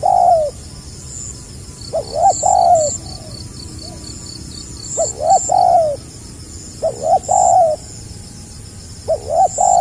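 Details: Tekukur, the spotted dove, in the 'gagap rapat selang nguku' song style from 2020: about five stammering coos, a short doubled note then a drawn-out mellow one, spaced roughly two seconds apart over a steady faint high chirping.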